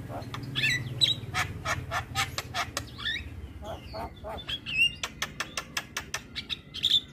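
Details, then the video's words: Black-winged myna training song for morning play to get mynas singing: a series of harsh, grating chatter notes and short whistles, followed by quick sharp clicks, over a low background hum. "Masteran Burung Jalak Kebo Wajib Putar Setiap Pagi Bikin Jalak Cepat gacor"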